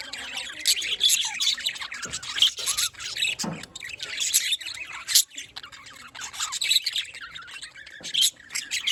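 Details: Pet budgerigars in a small colony keeping up a steady high-pitched chatter of twitters, warbles and short harsh squawks, with a few louder sharp notes standing out.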